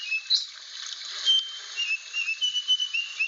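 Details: Rare Aceh blue flycatcher, a protected bird whose numbers are falling, giving thin, high whistled notes. Short sliding and level tones are spaced irregularly over a faint steady hiss.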